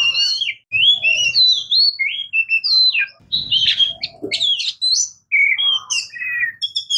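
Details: An Oriental magpie-robin, called murai kampung or kacer, sings a steady stream of sweet whistles, sliding notes and sharp chips, about one phrase a second, over faint low background noise.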